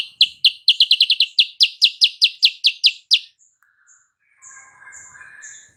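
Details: Sooty-headed bulbul song played as a lure to draw a rival's reply: a rapid, slightly irregular string of about seventeen piercing high chips over three seconds, followed by faint thin whistles.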